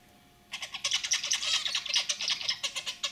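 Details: Caged pet zebra finch pair, the male with a lively throaty song and the white female with simple chirps, heard as a rapid chattering stream of buzzy, clipped notes, several per second, over a faint hum.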